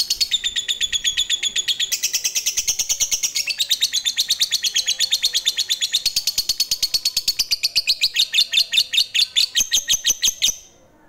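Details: Fighter lovebird in Indonesian bird-keeping, giving a long ngekek used to provoke other lovebirds: a shrill, rapid chattering trill of evenly spaced notes, about eleven seconds unbroken, shifting pitch partway through before stopping abruptly.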